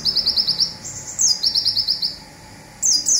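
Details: Local olive-backed sunbird singing the fast 'zipper' phrase that serves as a training recording: a quick series of high buzzy notes, a slurred whistle, a second trill, a pause, then a new burst begins.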